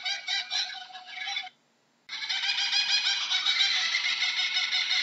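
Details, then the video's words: Kookaburra giving a raucous, rapidly pulsed chuckling call rich in harsh overtones. A short burst is followed by a brief silence, then a louder, sustained run of fast cackling notes that continues without pause to the end. "How does a Kookaburra sounds"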